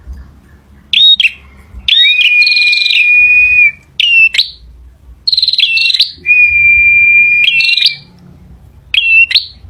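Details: Male bar-winged prinia giving shrill chirping phrases interspersed with two long, level whistled tones, each sustained nearly two seconds; a faint low background hum fills the pauses.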